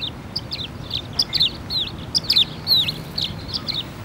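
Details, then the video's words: A swallow sitting on a park bench gives a chattering twitter: quick bursts of high, slurred chirps and squeaks, about one a second, over a low background rumble, before flying away. "Singing Swallow"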